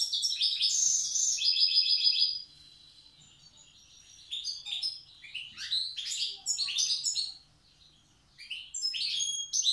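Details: Old-style song of a wild Tiaret goldfinch: a loud, fast stream of sparkling, buzzy twitters, a short quiet gap, then quick clusters of high chirps and tinkling notes.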